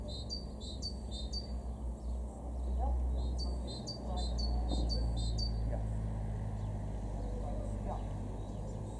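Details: A great tit, a garden bird in Weener, East Frisia, far northwest Germany, in February 2023, gives bright, high two-note phrases repeated quickly in two bursts, over a steady low rumble and faint constant hum.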